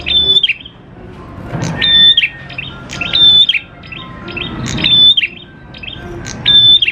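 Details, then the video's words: Lively prenjak klawu prinia singing to draw out other prinias: five high steady whistles, each ending in a falling twist, repeated every 1.5 seconds, with chips and faint lower whistles between them. "PANCINGAN PRENJAK KLAWU GACOR, NGALUN BIKIN PRENJAK CEPAT BUNYI"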